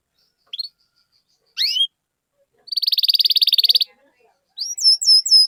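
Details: Canary song played to stimulate other canaries to sing, with cheeping notes: two isolated high chirps, a one-second buzzy rattling trill, then a quick series of hooked whistled notes, separated by silence.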